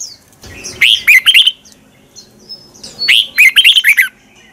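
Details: Red-whiskered bulbul twisting-voice morning song, a lure for training bulbuls to sing in competition. Two quick phrases of sharp, slurred chirping notes come roughly two seconds apart over a soft background hiss.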